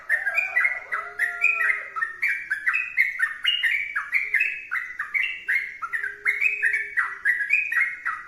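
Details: Sooty-headed bulbul in sustained, lively song. Bright whistled phrases tumble rapidly, with each note sliding or jumping between higher and lower pitches. A soft, drawn-out lower whistle sounds near the start.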